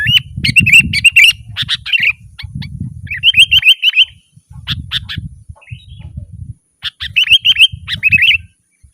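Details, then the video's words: Sooty-headed bulbul in busy gacor song, meant to attract wild birds: repeated bubbly whistled phrases and quick note strings, broken by bursts of low rumbling noise. "Suara burung kutilang gacor"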